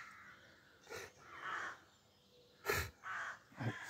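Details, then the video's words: Rooks in horse chestnut and oak trees at dawn in Pulford, Cheshire, late May. Quiet, scattered hoarse caws repeat over a soft background of distant birds, with a few sharp knocks. "Rook bird song"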